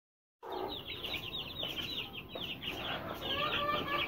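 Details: Aseel chicks, offered for sale, aged from 20 days to two and a half months; a dense chorus of high, short, downslurred peeps repeated rapidly and overlapping, with a faint murmur of background noise.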